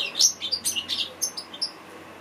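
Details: Brief burst from an African goldfinch, a favoured song for training birds: about eight sharp, high chirping notes in quick succession, fading out after a second and a half.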